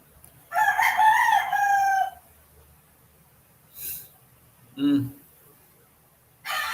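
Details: Rooster crowing in the background during a late-night or early-morning livestream: one loud harmonic cock-a-doodle-doo lasting about a second and a half, followed by brief human voices and noises.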